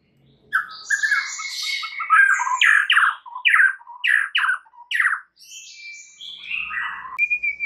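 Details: White-rumped shama lure sequence used to draw out full repertoire singing: harsh, buzzy, squawking notes in rhythmic bursts about every half second, mixed with higher whistled slurs, ending in a thin sustained whistle.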